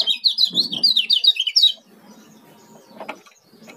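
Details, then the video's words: Oriental white-eye (kecial kuning, Lombok) giving a very fast, high twittering song of rapid slurred notes for under two seconds, then quieter background sounds. "Kecial yunior speed"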